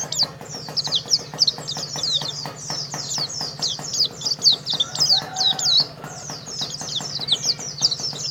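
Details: Prize-winning Oriental white-eye, a Karawang contest bird, pours out a continuous high, scratchy twitter of rapid downslurred chirps, backed by fast even clicking and a faint low hum.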